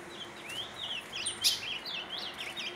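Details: An ultramarine grosbeak sings at another male, a rich, fast warble of rising and falling slurred whistles, phrases following without pause against a faint background hiss; other birds also sing.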